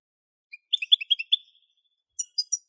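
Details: European goldfinch song: a quick run of about six bright, sharp chirps in a row, a short pause, then a few more high, clipped notes; nothing else audible.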